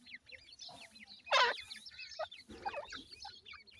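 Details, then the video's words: Grey francolin chicks calling their mother: a run of short, high peeping chirps, some rising and some dropping, with a louder burst of noise in the middle and faint clicking in the background. "goray teetar kay little chicks beautiful,titer baby ki boli"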